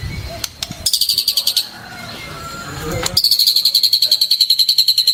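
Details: Training song of a white-rumped shama for captive birds, 2024: two bursts of quick, high, slightly descending pulsed notes separated by a quiet gap, with faint background hiss.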